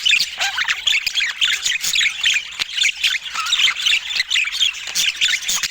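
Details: Budgerigars filmed in Scandinavian daylight give rapid, pulsing squawks and chirps, about seventy-four loud bursts a minute, overlaid on constant warbling from several birds.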